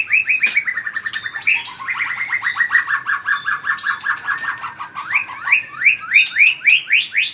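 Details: Fired-up white-rumped shama in combative song, flicking its tail hard: a long fast run of repeated whistled notes, roughly three or four a second, ending in rising sweeps and high accents.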